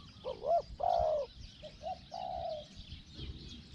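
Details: Decoy spotted dove luring wild birds, small-voiced 'hong hong' cooing: a short wavering note, a longer steady coo, then a quieter burst of short coos and a fading drawn-out note over low background hiss.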